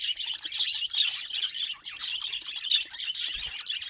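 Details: Steady, busy chatter from pet budgerigars: rapid twittering, clicks and little whistled squeaks layered continuously, with a faint low bump near the close.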